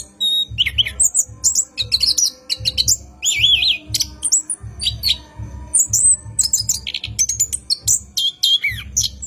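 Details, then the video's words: At night an orange-headed thrush delivers a long rolling lure song for cage-bird training. It pours out varied high phrases of quavering whistles, down-slurred notes and quick twitters over a steady beat of soft low thuds. "PANCINGAN ANIS KEMBANG GACOR MALAM HARI | NGEROL PANJANG COCOK UNTUK PANCINGAN ANIS DIJAMIN BUNYI"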